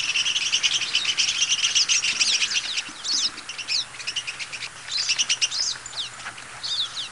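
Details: European goldfinch giving a fast, continuous tinkling twitter of rapid high chirps and buzzy trills, packed densely over several seconds with a faint low hum beneath.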